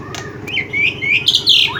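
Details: Black-winged myna calling with a run of bright whistles that rise and fall, growing louder and higher toward the end, above a constant low mechanical hum.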